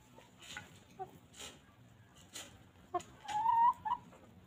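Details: Farm chickens roaming free and pecking at grass: scattered pecking taps and rustles, then a drawn-out, slightly rising nasal note followed by a short cluck near the end.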